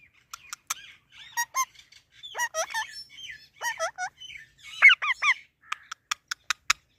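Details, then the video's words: Indian ringneck parakeet talking with sharp clicks, short hooked speech-like syllables and chattering notes in an uneven jumble, closing with a run of crisp clicking ticks. "Indian Ringnack parrot|Parrot talking"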